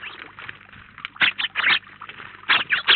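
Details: A flock of house sparrows at a feeder in Collado Villalba; quiet background chatter broken by two clusters of loud, harsh chirps in quick succession.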